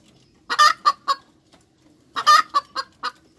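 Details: Hens cackling in two bursts: a stressed raspy squawk, then a run of three or four brisk clucks, the second burst slightly longer than the first.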